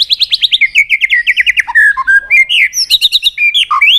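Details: White-rumped shama, a trained bird singing many-voiced song meant to fire up other shamas: fast run of rising whistled notes, then slurred whistles and sharp chips in quick varied phrases.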